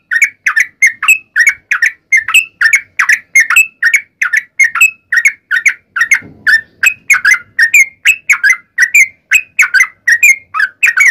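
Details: Sooty-headed bulbul in a continuous, combative long-running song used as a lure for other bulbuls. Sharp chirped whistles repeat quickly and evenly, about three a second, with no break throughout.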